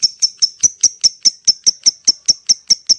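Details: Lovebird producing rapid, typing-like clicking calls to attract other lovebirds, about five sharp high ticks per second in an even series.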